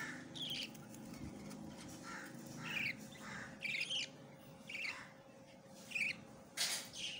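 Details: A newborn, hand-tamed, red-eyed budgerigar chick gives harsh, raspy squeaks, repeated roughly every second over a steady hum.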